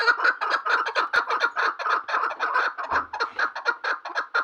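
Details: Chukar partridge calling: a rapid run of harsh, clucking chuk notes, about two per second blending into a steady rattling chorus, with no other clear sounds.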